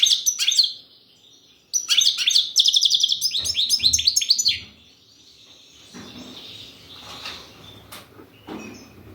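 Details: European goldfinch singing in the кокил песса style: a short twitter, a pause, then a rapid run of high tinkling, buzzy chirps lasting about three seconds, fading into soft background hiss with a few faint clicks.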